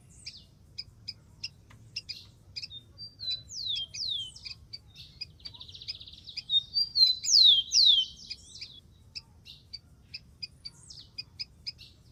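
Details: Wild rufous-collared sparrow singing: a run of short high chirps at a steady pace, then loud downslurred whistles and a brief buzzy trill in the middle, ending in more spaced chirps; a low rumble underneath.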